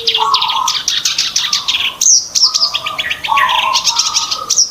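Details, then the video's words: Rapid scratchy chatter from a black-browed reed warbler, played as a trapping lure. Bursts of grating, buzzy high notes come in quick series, broken by a brief pause, with steady mid-pitched whistled tones beneath. "pancingan burung kerak basi alis hitam"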